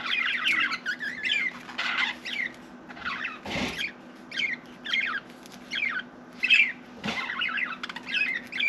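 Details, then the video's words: Pet budgerigar chattering indoors in quick bursts of scratchy, warbled chirps and squeaks, with brief pauses between phrases and a faint constant background hum. "Budgie Sally Bird Wants to Talk"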